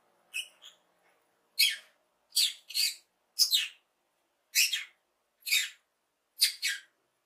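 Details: A happy lovebird chirps: harsh, shrill notes, mostly in doubled pairs, repeated roughly every second in an uneven rhythm.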